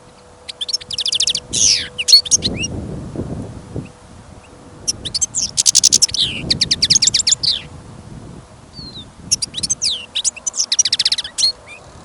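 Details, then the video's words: A caged European goldfinch, kept for a listening trial, sings outdoors during a trapping outing in sudden snowfall and wind. It gives three bursts of fast, bright twittering with buzzy slurred notes, separated by pauses. Low wind rumble runs underneath. "Пение щегла - Голоса птиц. Щегол на прослушивании запел."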